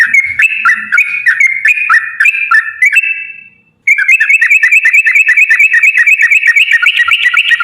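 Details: Rapid 'ropel panjang' song of a sooty-headed bulbul used as a lure: warbling dipping whistle phrases, a brief held note and silence, then a long even series of quick bright notes.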